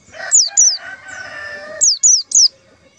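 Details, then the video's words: White-eye lure call for trapping: high falling notes, two then three in quick succession, over a bed of mixed bird chatter. "suara panggilan pleci untuk pancingan pleci"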